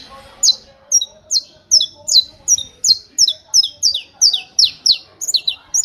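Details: Canto martelo style song from a saffron finch, rapid hammering of high, sliding-down notes, roughly fifteen in under six seconds, occasionally doubled, with a faint low hum beneath.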